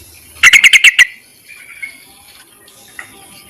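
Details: Yellow-vented bulbul summoning males, for use as a lure: one quick series of six chattering chirps, followed by faint scattered softer notes.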